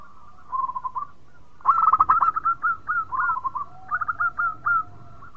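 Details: Local zebra dove singing sweetly and busily, said to make the others sound off: a soft trilled phrase, then a loud rolling series of clipped cooing notes, ending in short paired high notes over a low steady tone.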